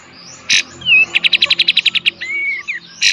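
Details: Kapas tembak (Olive-winged Bulbul) delivering 'tembak' song for tutoring cage birds: harsh buzz, a slurred whistle, then a rapid run of about a dozen sharp ticks, ending with whistled notes and another rasp.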